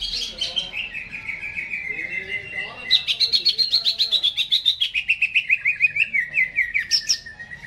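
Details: Vigorous song from a caged greater green leafbird before hanging. A sweeping descending whistle gives way to a long rattling trill of quick repeated notes that gradually falls in pitch, ending in a high squeal.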